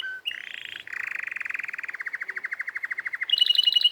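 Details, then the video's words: Canary in song: a brief whistle and a smooth buzzy note lead into a long rolling trill that slowly slows, closing with a quick high chattering burst. "canary singing video"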